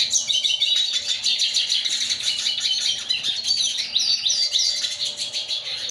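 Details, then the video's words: A yellow-bellied siskin crossed with a female red siskin pours out a continuous high, fast twitter of tinkling trills, short slurred whistles and buzzy phrases over a faint low hum. "yellow bellied siskin x red siskin"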